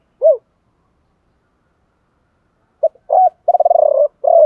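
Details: Spotted dove lure bird giving a 'gọi ba hậu' coo in a 'thổ pha' voice: a single arched hoot, a pause, then clipped notes, a fast purring roll and a drawn-out closing coo.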